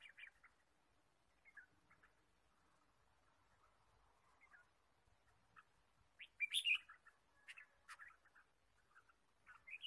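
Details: Red-whiskered bulbul chirping in the wild forest while birds are being trapped, 23 March 2017: scattered short chirps and quick notes, with a louder cluster of sharp chirps midway, then more scattered notes near the end.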